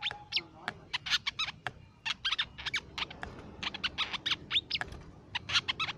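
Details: Crimson sunbird, a nectar feeder of shrubland, plantations and forest, in a lure recording: crisp, high twittering chirps in uneven bursts, some notes sliding upward, with brief pauses between phrases.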